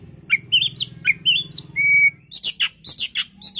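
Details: Oriental magpie-robin heard in a recording used to bait a bird into agitated singing: loud sweet upslurred whistles, one long steady whistled note, then a fast chattering string of harsh scratchy notes.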